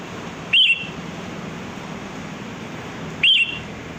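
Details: Free-living sooty-headed bulbul used as a lure sound: two brief rising-and-falling whistled phrases, nearly three seconds apart, over low steady background noise.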